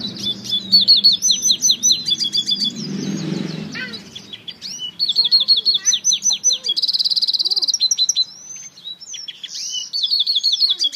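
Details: African citril mule delivering a long varied song of high chirped whistles, rapid pulsed trills and short buzzy rattles in changing phrases, with a brief rushing noise near the start.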